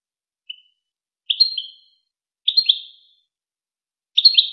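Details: Wakr Touzgha style goldfinch song, used to tutor young goldfinches and hybrids: one short chip, then three tinkling twittered phrases spaced about a second apart, each falling away at the end, with clean silence between.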